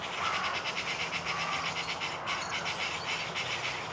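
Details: European serin singing from a perch a few metres off: an unbroken, high, fizzing jingle of quick notes, with a soft low hum in the background.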